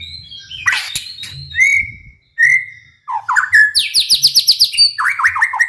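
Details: White-rumped shama song used to provoke other shamas into singing: clear sustained whistles, then fast buzzy ascending trills repeated in quick succession, ending in a series of downslurred notes; faint low hum behind.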